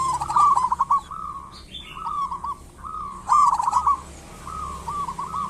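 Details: Local zebra dove singing, played as a lure to prompt other doves to call: a quick rolling coo followed by separate short gurgling phrases, with a faint higher chirp from another bird and steady low background hum.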